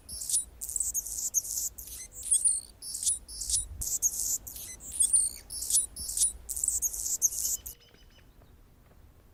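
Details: Anna's hummingbird sings on a branch in Golden Gate Park, San Francisco, California, repeating shrill, wheezy, scratchy phrases in quick pulses for several seconds before falling quiet.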